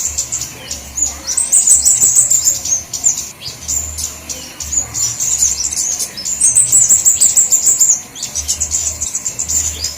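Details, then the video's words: Lure recording of flowerpeckers of various types: very high-pitched, thin twittering runs of rapid notes, a few seconds each, separated by scattered sharp ticks, with a soft low rumble underneath. "Suara Pikat Semua Jenis Burung Kemadean atau Cabe Cabean"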